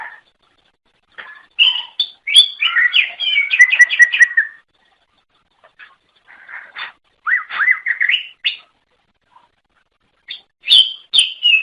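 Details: Song of a greater green leafbird, played to attract others of its kind: quick bursts of tumbling chirps and whistles separated by brief silences, ending in high sharp notes.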